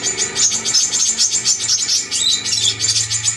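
A Brown-throated Sunbird sings a dense, rapid run of high, thin chips and twitters. A faint low hum sits underneath.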